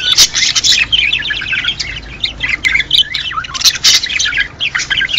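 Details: A sound meant to get budgerigars to mate: loud, dense squawking and twittering in quick high notes, with falling chirps and several sharp bursts.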